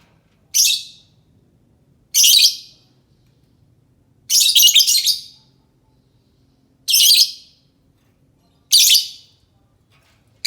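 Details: Lovebird calling, used as a lure to draw answers from other lovebirds: harsh, shrill screeching bursts of about half a second, given every one to two seconds in an irregular series, some doubled, over a quiet background.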